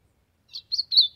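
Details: Ultramarine grosbeak singing to warm up: three short, quick high notes, the last one loudest and slightly slurred, against a quiet background.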